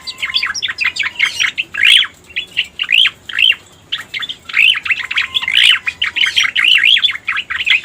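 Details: Cica koreng (striated grassbird) lure sound: bursts of rapid, loud chirps and upswept notes come in clusters separated by brief gaps, and the later bursts grow denser and stronger.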